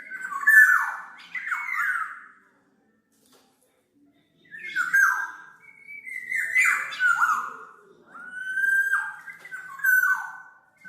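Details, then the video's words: Black-naped oriole, recorded as a lure and tutor track: loud, liquid whistled phrases with falling slurs, a silent gap of about two seconds, then several more mellow phrases. "SUARA BURUNG KEPODANG MAS, untuk masteran/pikat"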